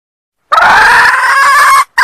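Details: Female red junglefowl from Sumatra calling to lure males: one drawn-out, harsh, nasal cry lasting over a second, slightly rising, then the start of another call at the end after a brief gap.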